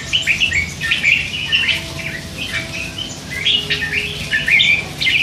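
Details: Three-month-old hand-fed red-whiskered bulbul chattering all day; continuous lively warbling with slurred whistles, fading midway then rising again toward the end.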